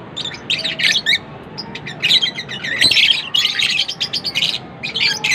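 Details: Lovebirds chirping in bursts, bright squeaky twitters and short raspy notes in clusters separated by quieter gaps, with a faint low hum in the background.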